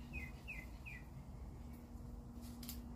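An Australian magpie gives three short, high, downslurred notes about half a second apart, then falls quiet, over a steady low rumble and hum.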